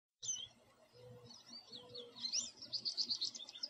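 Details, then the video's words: American goldfinch perched in a tree in a backyard, singing: a short high run of chirps and twitters that grows louder toward the end, with quick trill-like notes in the last second; a low hum runs underneath. "American Goldfinch Call, Song and Sound"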